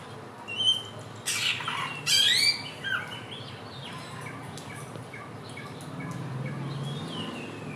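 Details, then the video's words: Helmeted friarbird, known locally as the bird of 1001 voices and native to West and East Nusa Tenggara, in a trotolan lure for teaching birds to sing; loud harsh slurred squawks early, then only faint distant chirps. "Pancingan samyong trotolan belajar bunyi"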